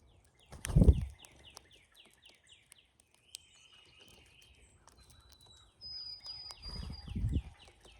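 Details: Migrating cowbirds crowding a feeder; two bursts of rapid, evenly spaced downslurred chip notes, a short thin whistle in between, and loud low thumps at the start and end.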